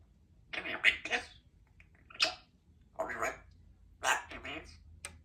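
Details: A baby female African grey parrot practises her words, giving several short, speech-like phrases in separate bursts about a second apart, with quiet pauses between them indoors.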